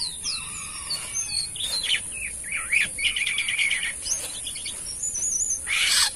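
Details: Asian pied starling in full, lively song, mixing clear whistles, looping slurred notes and rapid repeated chatter, ending in a harsh burst of noise, with a constant high-pitched hiss throughout.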